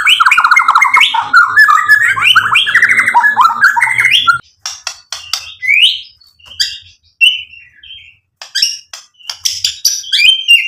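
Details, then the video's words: White-rumped shama song used to provoke and excite other birds: a dense run of rapid, warbling, rising and falling phrases, then scattered sharp whistles and chips separated by short pauses. "PANCINGAN MURAI BATU biar EMOSI NYAUT jadi GACOR BONGKAR MATERI ISIAN | SHAMA BIRD"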